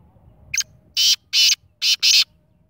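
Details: Kala teetar, the black francolin, calling: a brief thin introductory note, then four loud, harsh, buzzy rasps spaced under half a second apart, the last two closest together, over a quiet low rumble.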